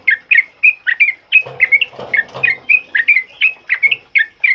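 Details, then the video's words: Sooty-headed bulbul, sung as a training song for other birds, delivers loud fast 'ropel uplik' phrases: bright, warbling, whistled notes in quick succession, with a low rustling burst near the middle. "Suara TRUCUKAN ROPEL UPLIK Lantang Keras Buat Masteran"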